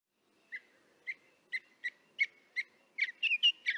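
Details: Northern mockingbirds chirping in the distance, recorded with a parabolic microphone: short, sharp chirps around two kilohertz, about one every half second, quickening into a burst of clustered notes at the end.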